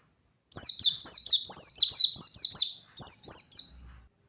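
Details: Gacor white-eye singing ngalas-style to anger rivals, a brisk chain of high descending notes, a brief break, then a shorter run that trails off.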